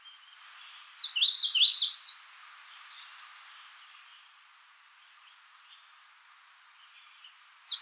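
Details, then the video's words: Magnolia warbler with a brief thin note, then a loud two-second phrase of swooping notes rising into higher chips, followed by a long quiet stretch before another phrase begins. "Magnolia warbler Calling."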